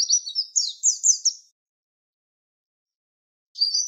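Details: Javan white-eye (pleci) tutor song in the 'tembakan wit wit' style, used to train songbirds for contests: short, high, chirpy twittering phrases for about a second and a half, a long silence, then another high phrase begins.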